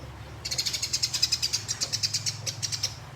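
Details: Contest sparrow in fighting mood rolling out a quick series of sharp high chirps, about ten per second, after a short quiet start, against a low steady hum.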